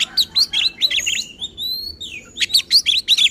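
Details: Oriental magpie-robin sings excitedly to stir other magpie-robins, giving quick high chirps, then long drawn-out thin whistles gliding up and down, then more rapid chirping notes.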